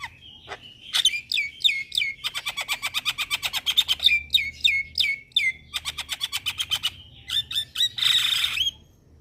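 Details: Starling lure calls meant to make Javan, white and Nias starlings respond. Sharp whistled notes sliding downward, then a fast run of clipped chips, more down-slurred whistles, and a closing burst of harsh rasping.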